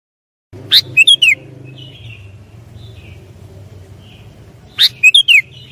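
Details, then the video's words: Sooty-headed bulbul lure song used for trapping: a short bubbly phrase of sharp chirps and warbled notes, given twice about four seconds apart, over a steady low hum. "SUARA BURUNG KUTILANG PIKATAN"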